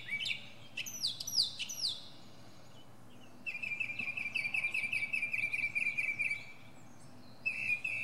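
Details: High up in a pine, a northern mockingbird delivers steep, sliding whistles. These are followed by a long, rapid, steady trill of about three seconds and then a brief new trill.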